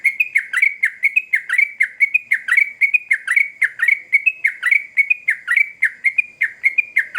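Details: Energetic sooty-headed bulbul song used to bring a reply from other birds: a long, dense series of sharp chirps swooping up and down, tightly packed and steady throughout.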